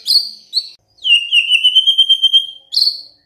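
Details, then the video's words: White-rumped shama in full gacor singing: high whistled notes, then a long steady whistle held while pulsing in quick beats, and a bright rising note at the end. "DENGERIN INI MURAI BENGONG LANGSUNG BUNYI GACOR"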